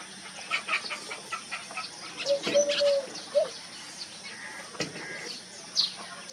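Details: Wild dove recorded in 2023, giving a brief run of steady hooting coos midway through, surrounded by frequent clicks, ticking and scattered high chirps from other birds.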